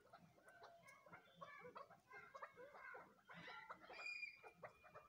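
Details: A group of crossbred chukar chicks keeps up busy, overlapping chirps and clucking notes, some higher and whistled, growing louder and denser in the second half.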